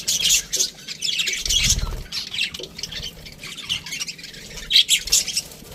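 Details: Several budgerigars in an aviary chirp and squawk in quick bursts, high scratchy notes repeated rapidly, with a brief low thud partway through.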